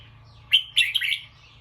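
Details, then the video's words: Bulbul on alert after a sound, giving a short, loud alarm: a sharp opening note, then a rapid, rattling, slightly descending chatter lasting about half a second. "The sound of a bulbul Listened and then definitely alert."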